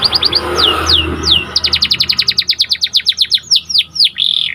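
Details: Panda canary in lively song for training other canaries: quick doubled chips, several sweeping downslurred whistles, then a long rapid series of bright repeated notes closing with slower slurs and a buzzy flourish.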